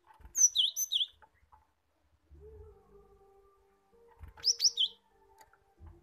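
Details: Lure recording of a cinereous tit, meant to get young caged birds singing quickly: two loud high phrases of sliding, dipping whistles, separated by a quiet gap with a faint steady hum.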